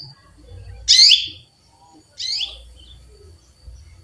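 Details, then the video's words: Chirps of a female canary calling a male: two loud, buzzy, descending notes about one and a half seconds apart, with a steady faint high tone behind them. "Female canary chirps calling male"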